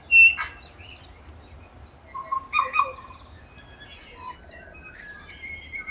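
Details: Tui feeding among banksia and flame tree flowers on Owairaka in winter; a loud pure whistle opens, followed by a cluster of lower whistled notes and clicks, then softer scattered phrases.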